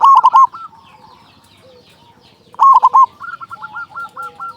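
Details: Loud local zebra dove singing steadily as a lure for training and stimulating other zebra doves. Two harsh, stuttered coo phrases sound near the start and middle. They are followed by a fast run of softer, evenly repeated hooked notes.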